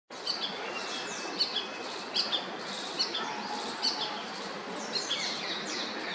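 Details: A solitary Ashy drongo on a residential terrace in Pune, Maharashtra, India, in February 2023, gives short, sharp high chirps about once a second over a steady hiss of background noise.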